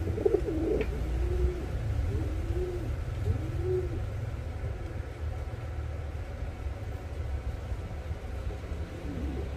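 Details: Yellow pair of Reversewing Pouter pigeons in the Philippines, cooing in low, rounded notes that rise and fall, repeated over several seconds, above a constant heavy rumbling background noise.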